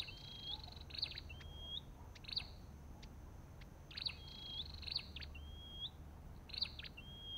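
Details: Olive-backed tailorbird calling: a sharp high note followed by a thin, drawn-out whistle that dips and levels off. The phrases repeat steadily, roughly every second, with clicky chips between them over a low background rumble.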